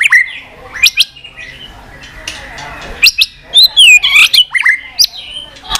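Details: White-rumped shama in tạch song: sharp clicking notes and short upslurred whistles, then a run of loud looping whistles near the end. The background is quiet.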